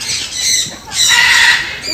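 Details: An Indian peafowl at Parrot Mountain, Pigeon Forge, Tennessee, in 2023, gives two harsh, loud squawks, each about half a second, with a brief pause between them; people's voices murmur in the background.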